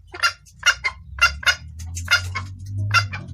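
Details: Hen red junglefowl calling the male, clear-voiced and suited to luring males: about eight short, raspy clucks in uneven pairs, over a steady low hum.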